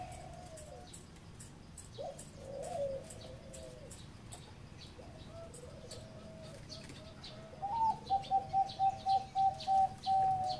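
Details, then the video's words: Zebra dove song in the ร้องตับ style. It opens with faint, wavering coos against a hiss of background noise, then a fast run of about eight short, staccato cooing notes rings out loudly toward the end. "นกเขาชวาเสียง |EP109 ร้องตับฟังเพลินๆ"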